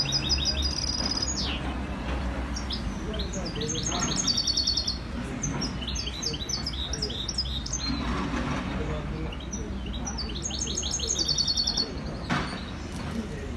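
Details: European goldfinch (maknin) singing in Skikda: long run of rapid, liquid twittering notes and trills in dense high bursts, with a few sharp clicks and a constant low rumbling hum beneath.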